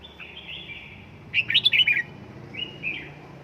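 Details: Red-whiskered bulbul kept at home in Gia Lai, trained to sing in fiery form: a faint thin whistle, then a loud burst of rapid bright warbled notes, followed by a softer whistled phrase.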